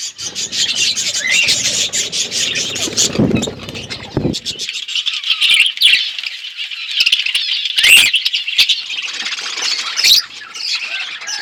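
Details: Budgerigars chirping in an outdoor aviary, a continuous busy chatter of scratchy notes and short squawks, with a few knocking sounds early on.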